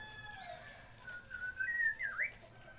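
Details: White-rumped shama from Borneo singing quietly: a few clear whistled notes, some flat and some sharply rising and falling, grouped in the second half over a steady background hiss.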